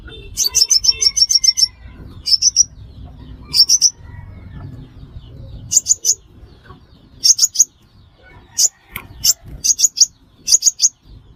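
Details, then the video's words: Sunbird, locally the five-coloured sunbird, intended for trapping: opening run of about ten rapid high chips, then scattered pairs and triplets of sharp metallic notes, with low background hum throughout. "Tiếng chim hút mật 5 màu"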